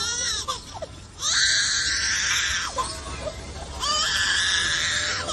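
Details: A lyrebird, a bird of Australian and Tasmanian forests, mimics a crying baby: long, wailing sobs that rise and fall, in two main bursts with short breaks between. Faint background music may be present.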